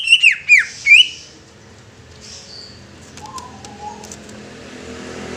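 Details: Greater green leafbird giving four clear, looping whistled notes in quick succession, then falling quiet amid faint rustling and a soft distant murmur.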